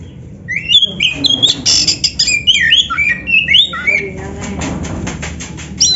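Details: Oriental magpie-robin, black-breasted type, song for training caged birds: a busy string of quick slurred whistles and chirps, then a stretch of rapid clicking ticks toward the end.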